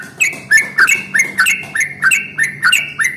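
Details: Morning song of a yellow-vented bulbul in the long rolling style that provokes other bulbuls to sing: a continuous chain of loud, liquid, downslurred-then-rising notes, nearly two a second, over a faint low hum.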